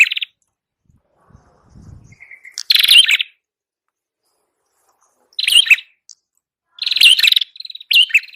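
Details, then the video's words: Prinia, red-headed type, singing as a lure for catching birds: bright high buzzy chirp bursts in short clusters separated by silent gaps, with a brief thin whistled note and faint low rustling between phrases. "Masteran burung prenjak kepala merah Gacor,100% paling ampuh untuk pikat"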